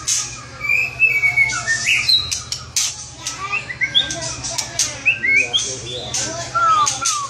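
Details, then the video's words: Gacor song of a white-rumped shama: a varied run of clear whistled notes, some long and falling, others short and rising, interwoven with harsh chattering bursts. "Suara Kicau Murai Batu Gacor Mantap"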